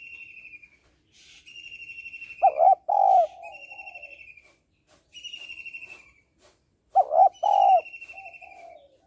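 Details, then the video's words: Female spotted dove calling to stimulate males: two loud, low cooing phrases, each a pair of short hoarse coos trailing into softer notes, about four seconds apart, over a repeated high, buzzy, trilling note from another bird. "Cu gáy mái kích trống/ tiếng cu gáy mái kích trống hay"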